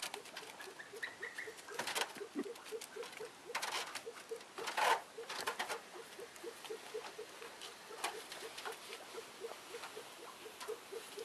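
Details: Female Elliot's pheasant, newly arrived, giving a steady series of short low clucking notes about four per second, with loud rustling, scratching and clattering noises throughout.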